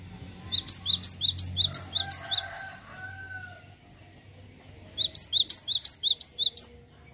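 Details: Two runs of high, sharp two-note phrases from a cinereous tit, each repeated rapidly in a rolling series, separated by a quiet gap with a faint lower tone.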